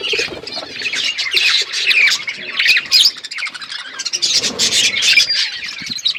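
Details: Budgerigars flocking in an outdoor aviary, a dense continuous chorus of chirps, whistled warbles and chatter from many birds throughout.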